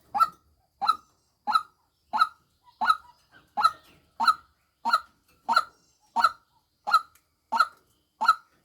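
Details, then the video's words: Steady train of honking, nasal 'kwok' notes from a decoy female white-breasted waterhen, roughly two every three seconds, loud and uniform, with a few faint soft sounds between notes. "tiếng chim quốc mồi mái"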